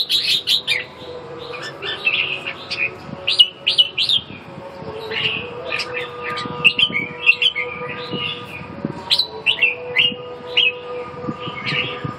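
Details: A red-whiskered bulbul sizes up a rival with a sustained stream of chirpy, warbled whistles. Quick clusters of notes swoop up and down, broken by short gaps, against a low background hum.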